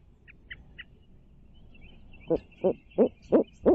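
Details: Barred owl visiting its nest in Midtown Tulsa, filmed by a stream cam; after about two seconds of faint high chirps, five loud, evenly spaced hoots follow roughly three per second.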